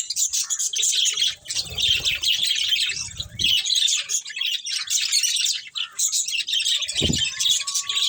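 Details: Budgerigars, a breeding pair within a colony, chirping: dense, continuous high chattering and warbling with rapid overlapping notes, a few short pauses, and a brief low thump near the end.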